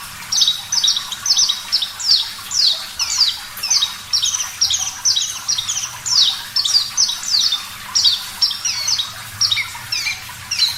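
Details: Javan bush lark (parva), singing with a clear voice on a caged-bird training recording: rapid, high, harsh-edged chirps in tight pairs and triplets, steadily repeated for the whole stretch.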